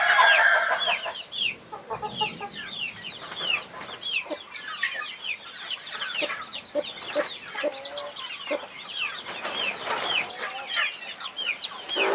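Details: Protective mother hen with 21 chicks; a loud sustained note opens, followed by scattered, overlapping high chick peeps slurring downward, some louder bursts near the end.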